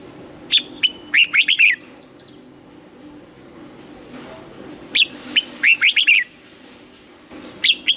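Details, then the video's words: Red-whiskered bulbul sings during a morning voice-training session in the double-note 'âm kép già rừng' style. Two sharp whistled phrases of about six quick, bright, warbled notes come roughly four seconds apart, then a third phrase begins. "Luyện giọng cho chào mào hót sáng, ép chào mào hót âm kép già rừng hay tuyệt"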